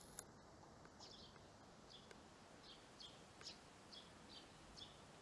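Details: A pair of Eurasian tree sparrows moving into a new nest box, their former nesting spot closed off; a run of brief, bright chirps about every half second against faint background noise.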